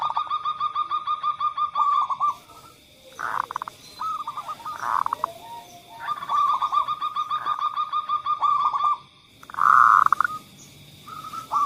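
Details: Lure of zebra dove song for doves that rarely call: long even trains of rapidly repeated short coo notes, broken by louder blurred bursts, with a faint high steady tone in the background.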